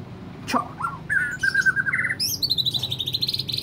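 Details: White-rumped shama, described as easily agitated, gives a few clear whistled notes, then slurred mid-pitched phrases and a rapid, high, trilled run of repeated notes toward the end.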